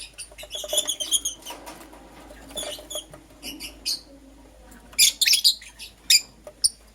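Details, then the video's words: Green Personata and Yellow Pastel Pied lovebirds in the morning: soft, scattered high twitters at first, then a louder burst of shrill, scratchy chirps toward the end over light background rustling. "Lovebird Chirping Sounds - Green Personata & Yellow Pastel Pied"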